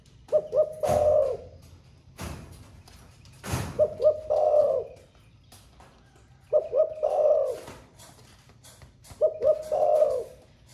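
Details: Spotted dove in captivity, newly coming into song and cooing all day in the 'thổ pha' style: four repeated low phrases, each two quick hoots then a prolonged throaty coo, with sharp thumps between them.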